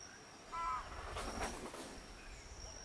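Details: Keel-billed motmot at Rio Santiago, Honduras: a single short, nasal croak with stacked overtones near the start, then a burst of broadband rustling; a steady high insect whine runs throughout.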